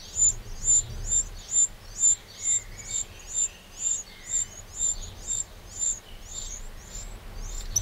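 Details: A Eurasian wren in a garden in the Châtillonnais, Burgundy, France, on 31 May 2023, gives a steady run of high, thin, sharp ticking notes, about two per second, over a faint low background hum.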